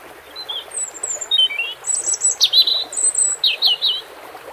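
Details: Varied high European robin song, thin slurred whistles and sharp tinkling notes in a quick, uneven sequence, some phrases very high, with faint water noise behind.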